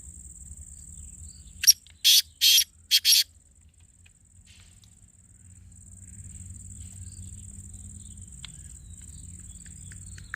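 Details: Black francolin calling note, meant to get the bird calling: after quiet background hum, a sharp click leads into three or four loud, rasping notes within about two seconds, followed by near silence.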